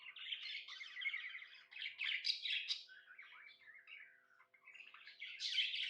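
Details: Contented pet budgerigar warbling: rolling, slightly buzzy chatter and chirps that dip in volume near the end before rising again into bright twittering.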